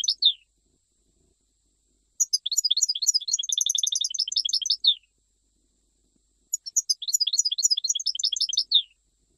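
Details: Algerian goldfinch, Jijel style, singing two long, rapid phrases of bright, high, twittering and chattering notes, each lasting about two to three seconds, with a brief opening chirp and quiet pauses between.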